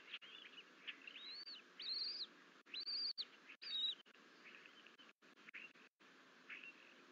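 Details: Bald eagle twin eaglets alone in the Fort St Vrain nest, 14 April 2024, exploring outside the nest bowl; high, thin, arched whistles rising then falling, a few louder overlapping notes in the middle, faint hiss behind.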